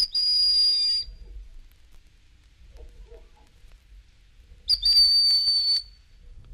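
Broad-winged Hawk giving two thin, high, drawn-out whistles, each about a second long with a slight downward slur, separated by a quiet pause.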